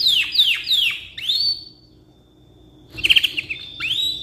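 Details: Canary singing a long, lively song described as suitable for tutoring other birds: descending whistled sweeps repeated about every 0.4 seconds, then a long steady high note, then a fast stuttering trill and rising whistles.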